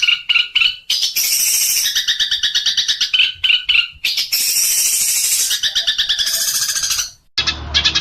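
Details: Long-tailed shrike full training song: loud repeated chirps alternate with harsh, scratchy noisy bursts, ending on a short, different-sounding high twitter.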